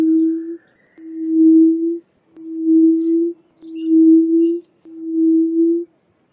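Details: Yellow-legged buttonquail calling with a harsh, somewhat whistle-like voice: a regular series of six low, flat hoots, each nearly a second long, repeated about every 1.2 seconds, with a faint higher bird note at the start.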